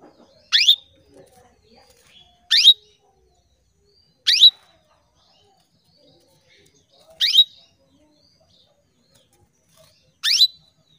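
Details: Female canary (kenari) calling to males, caged bird in Indonesia; five sharp rising chirps, each ending in a brief steady tone, repeated every two to three seconds over a quiet background.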